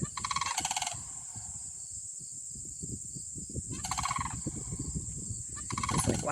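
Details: A sandhill crane, made a little nervous after spotting something, gives a rattling, rolling bugle. A second burst follows about three seconds later, with a third starting at the end, all against wind noise.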